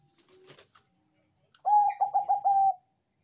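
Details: Bangkok-type zebra dove (perkutut) in full manggung song, described as loud-voiced: after faint background sounds, one phrase of steady mid-pitched cooing, a long note broken into four or five quick pulses, ending in a sustained tone.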